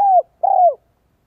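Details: Two drawn-out, falling coos from a spotted dove decoy singing in the 'giọng son, 1 cốt lỡ' style meant to attract wild doves, the second longer and slightly quavering, in silence.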